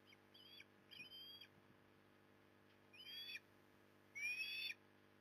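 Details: At a Port Lincoln, Australia nest on a September 2020 afternoon, when a big fish arrives, an osprey gives four separate high whistled calls, each slightly downslurred, spaced about a second apart, with faint camera hum beneath.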